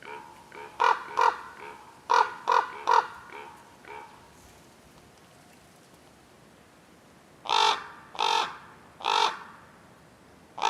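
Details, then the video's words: Common ravens in wild acacia woodland giving hoarse, croaking caws, first in quick pairs and triplets, then a slower series of four louder, harsher calls about a second apart. "The sounds of Ravens"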